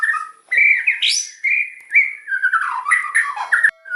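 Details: White-rumped shama singing sustained whistled notes that rise and fall, with fluting slurs and a quick high upsweep, ending abruptly.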